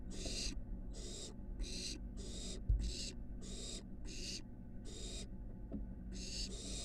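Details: Barn owl nestling at a nest box on a University of Florida building, exploring the porch and roof before flight: harsh broadband hissing bursts, each about half a second, about ten in a row at steady intervals over a low background hum.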